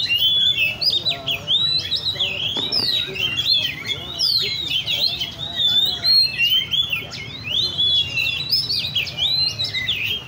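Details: Several caged Oriental magpie-robins singing at a songbird cafe in Lê Thị Riêng park: loud, rich whistles and quick slurred notes pour out almost without pause, with brief buzzy and chattering elements mixed in.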